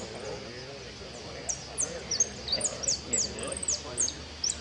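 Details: During a singing competition a goldfinch starts after a quiet second, delivering quick high-pitched sliding and twittering notes, with people talking softly in the background.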